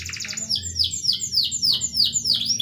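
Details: Canary in full song, called 'gacor' with melodious 'cengkok' ornamentation: a quick buzzy trill opens, then clear high whistles sweep steeply downward about three times a second, each a ringing note, over a soft low background hum.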